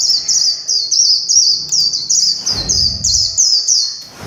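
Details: Warbling white-eye singing in the líu chòe style: a rapid, continuous high-pitched warble of thin, sweet twittering phrases run tightly together with barely a pause, steady and bright throughout, with a brief low rumble in the middle.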